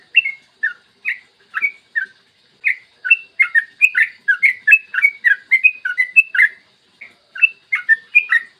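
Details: Long rapid morning song of a yellow-vented bulbul, used to lure and stimulate other bulbuls to sing. Clear warbled chirps start spaced and quicken into a dense bubbling run of short up-and-down notes, then slow again.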